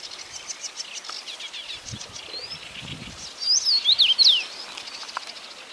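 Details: Quick rosefinch phrase of four or five sliding whistled notes, loud and clear against faint twitters and chirps from other birds in the background.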